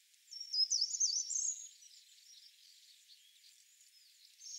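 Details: A short-toed treecreeper (Certhia brachydactyla) sings one brief, high, thin phrase of quick notes lasting about a second, followed by fainter high twittering and a quiet background hiss.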